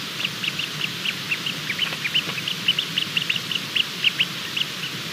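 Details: A Bermuda petrel chick in the middle of hatching, 28 February 2020, just after 23:30, keeps up an even run of sharp, high peeps, several per second with slight pitch bends, against steady background hiss.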